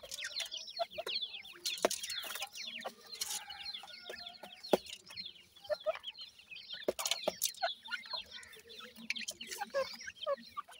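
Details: Chorus of francolin chicks: a constant busy stream of high slurred peeps from many birds, broken by repeated sharp clicks and taps.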